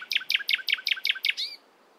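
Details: Nightingale singing in the morning: a rapid series of seven identical sharp, ringing notes, about five per second, ending in a brief slurred rising-and-falling note, then quiet with no other sounds.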